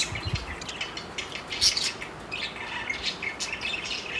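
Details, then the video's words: Four parakeets kept as pets, flirting with a continuous busy chatter of high chirps and tweets, one louder squeak in the middle, soft warbling notes running underneath. "parakeet sounds of flirting"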